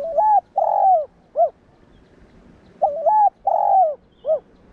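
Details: Spotted dove cooing to spur other doves into calling; two identical low, throaty phrases about three seconds apart, each a stuttering coo, a longer slurred coo and a brief closing note.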